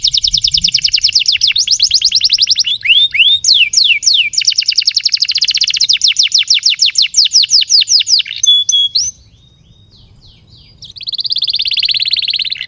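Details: Canary singing a long song meant to prompt and tutor young canaries: rapid rolling trills of downswept notes, brief sweeping whistles, a short quiet pause, then a buzzy trill resumes.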